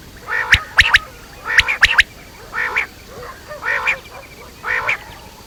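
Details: Quail, batair, uttering nasal buzzy squawks with sharp clicks at the start, then rough grating notes repeated about once a second.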